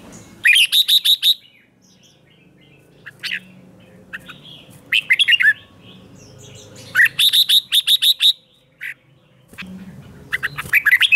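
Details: Red-whiskered bulbul in morning training song, 'ché' style meant to fire up wild-caught birds for competitive singing; loud clustered bursts of quick sharp notes every few seconds, with brief whistled slurs between, low background hum.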